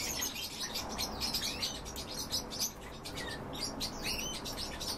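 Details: Short trilled calls of European bee-eaters during feeding, many birds chirping together in rapid, uneven bursts with a few clearer rising notes.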